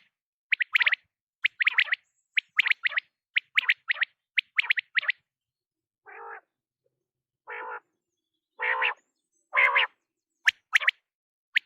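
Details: Quail (batair) night calls: quick clipped whistled notes in tight clusters about once a second, followed by a few lower, hoarse, drawn-out notes. No other sounds.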